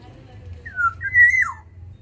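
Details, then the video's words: Black-naped oriole of the Sumbawa type kept in an aviary, singing actively: one fluty whistled phrase, a short falling note then a longer, level, rich whistle that ends in a sharp downward slur, over a low steady hum. "Keodang emas sumbawa di dalam aviary gacor"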